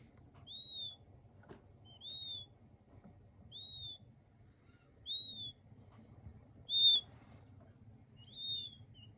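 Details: Clear, isolated peeps from king quail chicks: single high, thin whistles, each gently arched, repeated roughly every one and a half seconds in an otherwise quiet setting.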